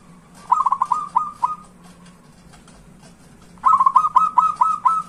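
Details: Zebra dove song played to coax quiet doves into singing: a short cluster of fast, soft coos fading out, about two seconds of near quiet, then a brighter run of rapid cooing notes, with a constant low hum underneath.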